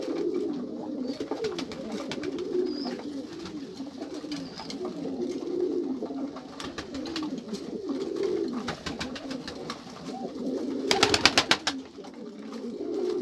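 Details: Pigeons cooing together, likely in a loft, with low throaty rolling coos overlapping continuously; bursts of sharp clicks and clattering around the eleventh second and faint high chirps in the background.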